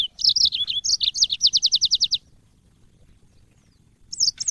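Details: Cage-bird training recording of a yellow-fronted canary: high bright twittering notes run into a steady trill of about ten evenly spaced, rapidly repeated notes, then a pause and a brief new phrase.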